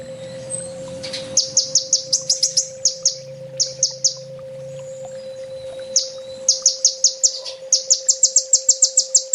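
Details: Olive-backed sunbird, called kolibri ninja, delivering a 'full tembak' master song for training kept birds: rapid strings of sharp, high, descending chips in runs, quickening at the end, with a low rumble early and a steady hum.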